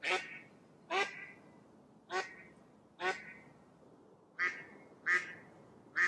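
A Mallard gives seven loud, nasal quacks spaced about a second apart, each harsh and slightly descending, over a quiet background.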